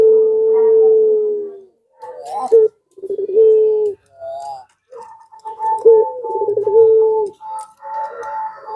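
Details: Barbary dove of the pelung type, a lure recording meant to draw replies from other doves: sustained mellow coos alternating with short rolling gurgles, with a higher thin steady tone near the end.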